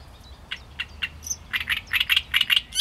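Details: Great reed warbler singing: harsh, grating notes repeated a few times a second, growing louder and denser toward the end.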